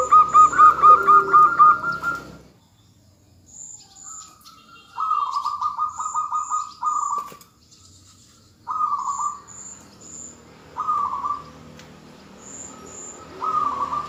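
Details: Female zebra dove calling to lure the male into singing: mid-pitched rolling cooing phrases, each a quick burst of trilled notes, repeated in bouts every few seconds, with faint high tonal pips and quiet rural background.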